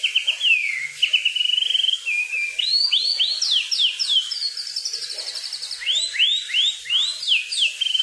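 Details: Kukluk bird singing in the wild: a varied run of clear whistled notes, sliding falls and rising upswept phrases, then quick repeated upward slurs, bright and high-pitched throughout with no other sounds.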